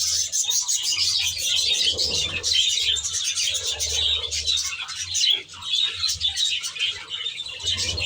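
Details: Aviary flock of budgerigars giving a constant mass of high chirping, twittering and squeaky warbling, many birds calling at once over a faint low hum.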